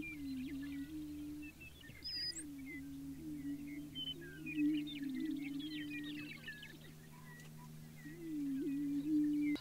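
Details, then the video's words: Early-morning spring lek of prairie chickens on the Fort Pierre National Grasslands in central South Dakota, part of an annual ritual. Deep, hooting, wavering moans roll in several times, each lasting one to three seconds, over constant high chatter and cackles and a faint steady low hum. "Prairie Chickens Booming"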